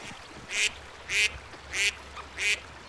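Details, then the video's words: Four loud, nasal duck quacks on a pond, evenly spaced about six-tenths of a second apart, over a faint steady hum. "Som de Pato - Patinhos na Lagoa - Duck Sound"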